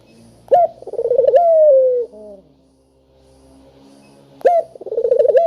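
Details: Spotted dove calling steadily, used as a lure to prompt lazy doves to call: a sharp opening note, a quick fluttering stutter, then a long smooth coo sliding gently downward. Two phrases about four seconds apart over a faint low hum.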